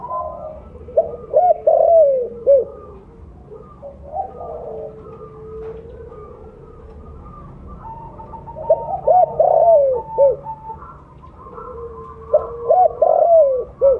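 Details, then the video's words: Spotted dove, blorok colour form, a big-voiced lure bird, cooing in three bursts of arched notes ending in falling coos, separated by steady low tones and softer answering doves. "Terukur blorok gacor suara besar cocok untuk pancingan bunyi."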